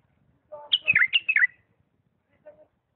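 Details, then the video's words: Bulbul from Diyala delivering a single lisanat-style phrase of clear, falling whistles, preceded by a soft hum and followed by a faint low note. "اجمل تغريد بلبل ديالى طور لسانات راقيه"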